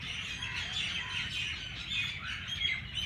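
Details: Early-morning bird chorus in Jilani Park, Lahore, with a steady wash of high, overlapping chirps and thin whistled notes, no single caller standing out, over a soft low background hum.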